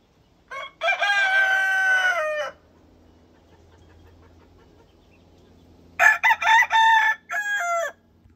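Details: Yellow-legged JJ Kelso game rooster crowing while strutting: two loud crows, the first a long, steady, drawn-out note of nearly two seconds, the second broken into several short bursts before a final held note, with quiet background between.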